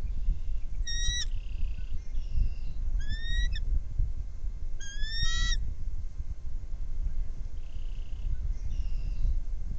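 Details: Bald eagle at a nest shared by three birds, heard via nest camera: three quick bursts of high, stuttering chirps about two seconds apart, with fainter squeals later over wind noise.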